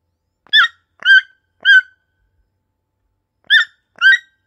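A toucan gives five short, harsh, nasal croaks, three in quick succession about half a second apart, then a pause and two more, against a quiet background.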